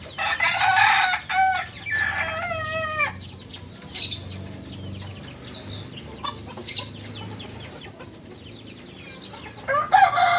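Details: Novice Balenggek chicken, native to Solok, West Sumatra, opens with a harsh burst and then a wavy, stepped crow lasting about three seconds, followed by sparse clicks and a final short burst.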